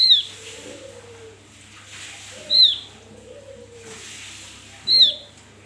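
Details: Javan grey-throated white-eye in the wild, recorded as lure sound for other birds: three bright, piercing downslurred whistles spaced about two and a half seconds apart, soft low cooing phrases and a constant low hum behind.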